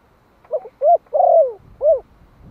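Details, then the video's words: Spotted dove of the Malai strain, a one-year-old decoy in Vietnam calling to stir wild doves, utters a low, mellow phrase: a brief stammer, one coo, a long drawn falling coo, then a last rounded hoot. "Tiếng chim cu gáy Malai kích bổi - Thanh niên Malai 1 năm tuổi gáy gọi"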